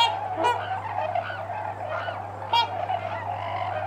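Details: Four or five trumpeter swans landing close by, with tundra swans squawking in the background. Loud, brassy, nasal honks break out near the start and again after two and a half seconds, over steady overlapping chatter and a low constant hum.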